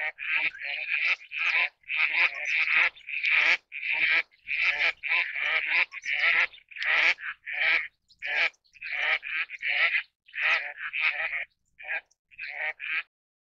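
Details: Eastern spot-billed duck giving a long, steady series of loud, harsh, nasal quacks, roughly two every second for about thirteen seconds. The quacks come with short gaps between them and no other clear sounds.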